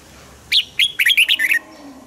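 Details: Single song phrase from a caged red-whiskered bulbul, played to excite cage birds: an opening sharp note, then a quick run of five or six bright whistled notes stepping down, over soft background noise.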